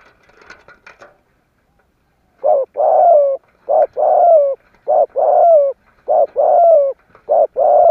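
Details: ["Spotted dove cooing in the 'kích bổi' style meant to provoke other doves into calling, 'giọng thổ' voice: faint scratchy sounds early, then four paired phrases of a short coo followed by a longer, slightly descending purring coo, evenly repeated."]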